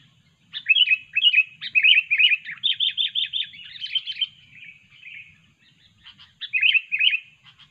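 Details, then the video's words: Lively sooty-headed bulbul, used as a lure for trapping: a loud run of bubbly, slurred whistled notes in quick succession that fades to softer warbles, then a short pause and a final pair of strong whistles. "kutilang super ganas dan gacor"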